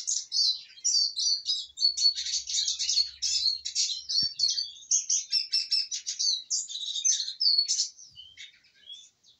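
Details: Eurasian siskin, satisfied after feeding, sings an unbroken run of fast high twitters, sharp chirps and slurred whistled notes that tails off into scattered single chirps, with a faint low hum and one click.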